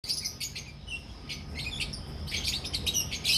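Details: Albino red-eyed and personata red-eyed lovebirds in a colony breeding setup in Pakistan give a rapid stream of shrill, high chirps and tweets, several birds overlapping in bursts over a low steady hum.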